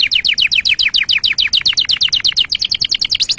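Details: Canary song for chick training and courtship: a steady run of quick, repeated, downward-swooping chirps, about four per second, continuing throughout.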